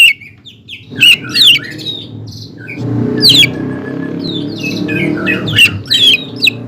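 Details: Greater green leafbird singing to provoke a rival leafbird: sharp squawky notes and quick upward-sweeping whistles in loud bursts, separated by pauses, over a low droning room-like background.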